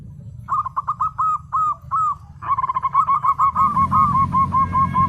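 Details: Local perkutut (zebra dove) singing actively: spaced, slightly rising coos speed up into a dense, rattling chain of short notes that slows again toward the end, with a low rumbling noise underneath.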